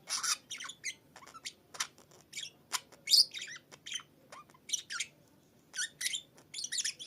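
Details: Budgerigar kept as a house pet, singing from the top of its cage on a Sunday morning: continuous scratchy chatter mixing shrill squeaks, buzzy rasps and short whistled notes in irregular bursts.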